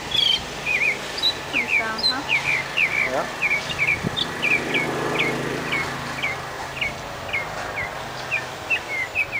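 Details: Northern mockingbird song in a Key West cemetery: a long run of sharp, high chirps and slurred notes, several per second, with a passing vehicle and faint voices in the background.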